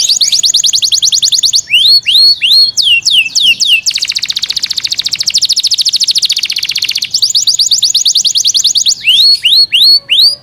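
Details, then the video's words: Yorkshire canary in full song, loud and varied: fast rolling trills alternate with looping whistled sweeps and a long dense buzzing trill lasting about three seconds before the sweeps return. "Yorkshire canary Nice sound"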